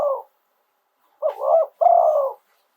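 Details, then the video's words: Thai Spotted dove singing live in the 'throw two kuk' style, giving deep, rough, rolling coos: a short opening, then two longer burry phrases slightly falling in pitch. "โยน 2 กุก คารมเด็ด เสียงนกเขาใหญ่ ขันสด"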